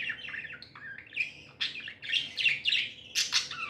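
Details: A happy pet budgie gives a run of varied chirps: slurred whistles, a rising note, then louder buzzy warbles and a sharp high squeak.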